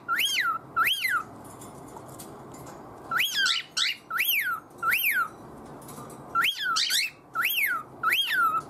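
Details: Attention-seeking pet cockatiel giving strange whistled calls at its owner: about ten sharp up-and-down whistles, a pair first, then two runs of four, with short silences between runs.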